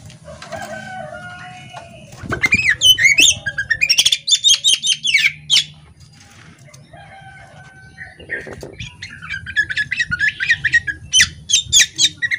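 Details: Female Oriental magpie-robin, poci type, chattering and opening its tail; bursts of quick whistled and buzzy notes between quieter stretches with drawn-out tones, wing flutter and a steady low hum.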